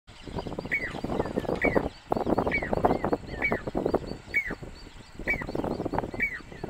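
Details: A Jacobin (pied) cuckoo sings in the Aravalli hills near Roopgarh, Sikar, Rajasthan, India, in July 2020: short, ringing whistled notes that dip at the end, repeated about once a second, over steady rumbling wind or traffic noise.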